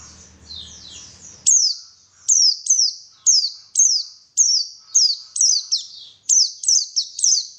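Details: Lure song of a white-eye to prompt singing: faint falling trills, then a long series of loud, thin whistled notes, each sliding sharply downward, repeated two or three times a second in a brisk, lively rhythm.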